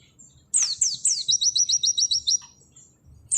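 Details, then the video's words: Auri-type Oriental white-eye in nembak sejalur song: three steep downward whistled slurs followed by a rapid straight run of about ten sharp high chips, another slur starting at the end. "Masteran full materi burung pleci nembak sejalur Pleci auri"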